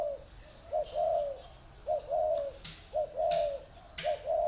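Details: Caged spotted doves, one in a round bamboo cage and one in an iron cage, cooing: low soft phrases of a short note followed by a longer drawn-out coo, repeated about every second, with faint high hiss.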